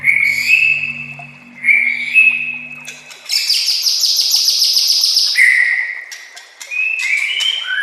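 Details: White-rumped shama master song used to train young shamas: steady whistled tones shifting between pitches, then a loud buzzy high trill lasting about two seconds, followed by more clear whistles and a falling note.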